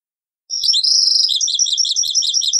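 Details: European goldfinch performing Taqsrayn-style song, from an old cassette: a sustained, high, drawn-out note that flows into a steady stream of rapid, tinkling twitters.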